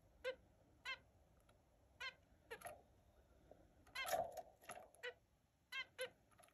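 Zebra finch giving short, nasal, toy-trumpet beeps at an uneven pace.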